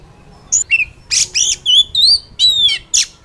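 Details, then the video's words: Oriental magpie-robin singing in the wild, used to excite a caged bird: varied short phrases, buzzy notes, clear rising and falling whistles and wavering slurs. "Pancingan kacer ampuh langsung Emosi - kacer di alam liar"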